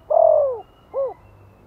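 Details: Spotted dove from Vietnam calling in the gentle Giọng Thổ lure style for newly caught birds: a long, low, gradually falling coo followed by one short arched note.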